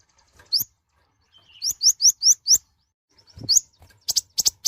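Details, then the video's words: Mouse-colored sunbird, known locally as kolibri ninja or konin, singing loudly as training material for beginners: sharp, high, rising whistled notes, first singly, then a quick run of five, ending in a burst of rapid chips. "Kicauan suara burung Kolibri Ninja(konin) gacor untuk pemula/bahan"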